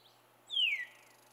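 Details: A Veery sings on a cold morning at Saint-Antonin, Québec, on 14 June 2020, giving one airy phrase that slides smoothly downward in pitch, under half a second long, over a faint steady hiss.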